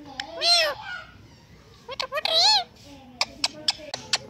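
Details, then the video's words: Indian ringneck parakeet, a pet talking parrot, producing two drawn-out warbled speech-like phrases separated by quiet, followed by a scatter of sharp clicks and ticks. "Indian Ringneck Talking Parrot Talking and Dancing"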